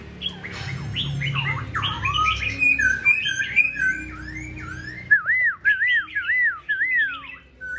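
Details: Black-throated Laughingthrush, tame and caged, singing on a cold day: a dense tangle of chattering, squeaky notes, followed by a rhythmic string of bright looping whistles repeated about twice per second.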